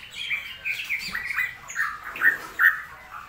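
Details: Straw-headed bulbul (cucak rowo) recorded during a rainy season, giving rich warbled phrases around the middle pitch range, with several rising and falling notes run together over about three seconds.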